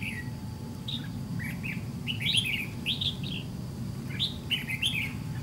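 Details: Red-whiskered bulbul of the white-cheeked type during fight trapping with a decoy bird: short bright warbled phrases, rising and falling, in bursts through the clip, over a steady low rumble and faint hum.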